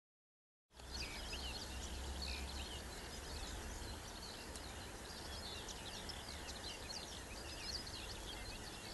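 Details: A Eurasian reed warbler, 7 July 2012, sings a continuous scratchy chatter of short, high repeated notes, several per second, over a steady low rumble and hiss.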